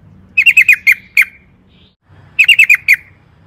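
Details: Sooty-headed bulbul in long-trill lure style: two quick bubbling phrases of five or six sharp chirps, separated by a short gap, with a low background rumble.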